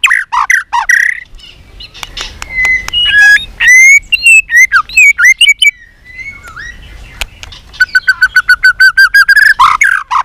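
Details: White-rumped shama singing in contest-style, fired-up singing with many voices and tail flicking, trained for singing contests: loud varied whistled phrases, rising and falling slurs, then a fast series of repeated sharp notes near the end.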